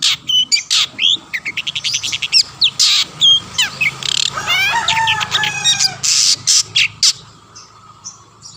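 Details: Long-tailed shrike in full song, meant to provoke other shrikes into singing: rapid harsh rasping bursts alternate with rising whistled sweeps and trilled chatter, several notes every second.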